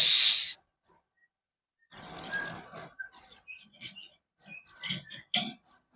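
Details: Blue-crowned hanging parrot in 'main singa' mode, giving strange, fierce sounds: a loud hiss-like burst, then sharp, high, thin chirps in quick scattered clusters with short silences between.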